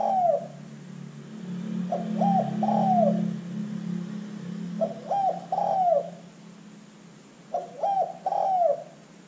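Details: Spotted dove, a lively calling bird used as a lure to set other birds calling: mellow cooing phrases of three notes, the last drawn out, roughly every two to three seconds over a steady low hum.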